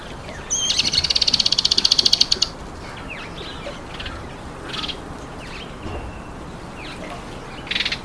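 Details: Speckled mousebirds at an apple: a rapid high buzzing trill for about two seconds, then quieter scattered chirps and a short harsh burst at the end.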